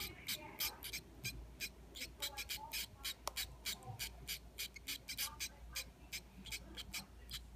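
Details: Hand-fed zebra finch chicks, two nestlings aged four and three days, calling during feeding: quick bursts of hissy, high-pitched begging chirps, roughly three per second, over a low steady hum.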